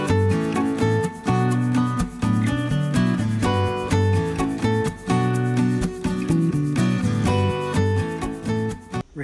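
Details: Guitar music with a voice over it; no animal sounds are heard.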